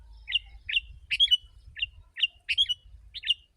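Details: Sooty-headed bulbul, a very vocal singer used to lure wild birds: short warbling, liquid phrases with rising and falling slurs, uneven spacing, over a faint low rumble.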